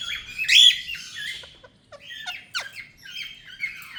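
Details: Pet ring-necked parakeet in India, chattering: a loud squawk followed by a run of quick sliding chirps, short falling notes and buzzy squeaks, with a constant low rumble underneath.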